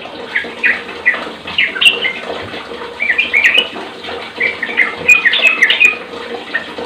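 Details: Sooty-headed bulbul song for coaxing other bulbuls to sing; scattered bubbly notes at first, then a denser burst of warbled whistles near the end, with faint low hum and hiss.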